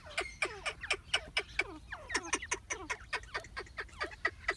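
Grey francolin giving loud, harsh, strident notes, about four a second, each sliding downward, in a rapid ringing series. Nothing else stands out.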